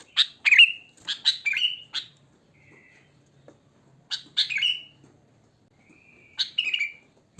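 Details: Sooty-headed bulbul in the wild, pure natural song used as a lure: short clusters of chirps rolling into liquid downslurred whistles, repeated three times with quiet gaps and a faint thin whistle between.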